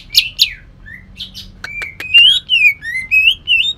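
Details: Cucak ijo from Kalimantan, a greater green leafbird, singing coarse bursts mixed with shrike-like phrases. Two buzzy notes and scattered clicks are followed by a run of sweet, rising and falling whistled slurs.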